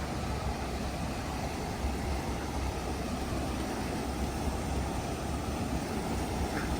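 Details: Continuous roar of road traffic and engines outdoors, with no animal calls.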